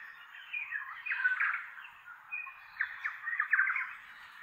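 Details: Flock of tui feeding in oak trees in inland Kapiti, New Zealand, a native bush valley; varied song of clicks, warbles and squeaky notes, several birds overlapping in bursts with short gaps.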